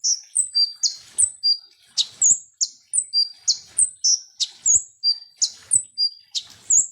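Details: Sunbird, locally called konin or kolibri ninja, song used as a lure to make birds agitated: high, thin, sharp notes alternating with short downslurred whistles, repeated steadily about three per second, with no other sounds.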